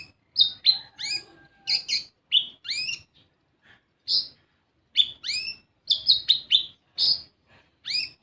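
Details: Sunbird (kolibri ninja) song used as a lure to prompt young birds to sing: rapid high chirps and rising whistled notes in short bursts. A faint, lower steady tone runs briefly underneath early on.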